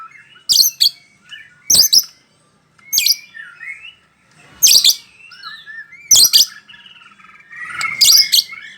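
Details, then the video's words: Bahorok white-rumped shama singing from one spot: loud harsh rasping bursts roughly every one to one and a half seconds, separated by soft short whistled and chattering notes. "Murai batu bahorok mbbl bf main satu titik"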